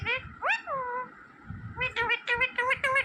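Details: Green parrot talking like a person: a rising whoop, then a long falling tone, then a rapid series of short, clipped, nasal syllables.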